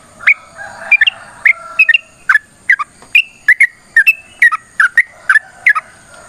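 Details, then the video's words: Yellow-vented bulbul producing provoking song notes to get other bulbuls singing. Crisp, downslurred chirps, singly or doubled, repeat about twice per second against a faint constant high-pitched hum. "TRUCUKAN GACOR TARUNG ROPEL PANJANG"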